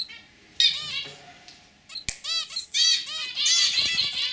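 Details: Indoor zebra finches, a lively male and a white female, deliver a fast run of nasal honking beeps that grows into near-continuous calling, with a sharp click partway through.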